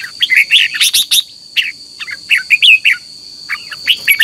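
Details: Red-whiskered bulbul singing at dawn in a singing contest, lure song for training: quick clusters of bright chirps, then spaced, liquid, slurred whistles repeated every half second or so, over a constant high tone.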